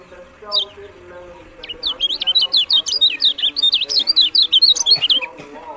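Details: Lemon-bellied white-eye (kecial kuning) from Lombok delivering a fast, lively run of high twittering notes that rise and fall in quick succession after one brief opening chirp, over a faint low hum.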